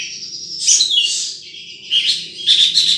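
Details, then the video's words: Bright high chirps and a shimmering trill from a wild sunbird, in two short bursts separated by a softer thin note, over a faint low hum. "Suara Burung Madu liar"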